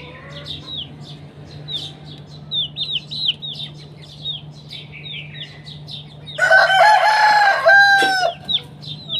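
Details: Chicken in the morning during a fight: a series of thin, falling chirps from smaller birds for several seconds, then a loud, harsh rooster crow of about two seconds with strong harmonics, all over a steady low hum.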